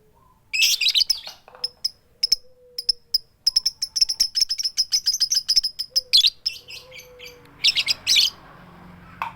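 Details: A female lovebird's 'tik tik keyok' call to the male: opening harsh screeches, then a long rapid series of thin high ticks, ending with more grating bursts. No chattering.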